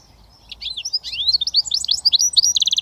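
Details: Goldfinch mule, a hybrid described as a 100% British finch, delivering a fast twittering song: high slurred chirps and trills tumbling over one another, ending in a quick run of repeated bright notes, with faint low background hum.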